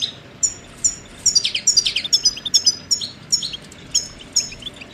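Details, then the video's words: Goldfinch singing a bright, fast twitter of clear high whistled notes and tinkling trills, repeated in rapid phrases with short gaps, clean and close with little background noise. "Birdsong Motivation Let Goldfinches Inspire Your Success"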